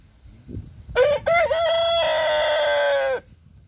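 An Orpington rooster gives one loud, harsh crow of about two seconds, broken into short opening notes and then a long held, slightly falling final note.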